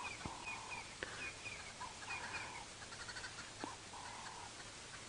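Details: Green wood hoopoes give harsh, cackling alarm chatter in repeated bursts of about half a second, over steady hiss, unhappy about a female leopard near a drainage line at sunrise in winter, Sabi Sand, South Africa, July 2017.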